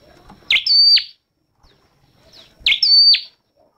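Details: Red-headed flowerpecker, a small bird with red head feathers, singing: two high phrases, each a sharp note followed by a long flat thin whistle that drops steeply at the end, about two seconds apart, in a quiet setting.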